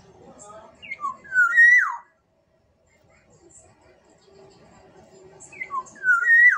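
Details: Black-naped oriole from Sumbawa repeats the same fluting phrase twice, about four seconds apart. Each phrase has quick short whistles building into a loud, clear slur that rises and falls, with faint low murmuring in between.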